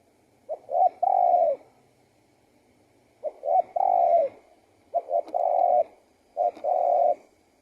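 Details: Spotted dove song with four repeated phrases, the later ones coming faster. Each is two or three quick soft notes rolling into a longer, mellow coo that falls away, over a quiet background.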